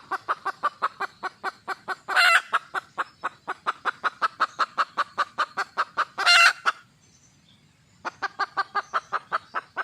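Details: Wild red junglefowl female calling for a male: long, fast, regular clucking, about five notes per second, twice swelling into loud drawn-out squawks, then a brief silence before the clucks resume.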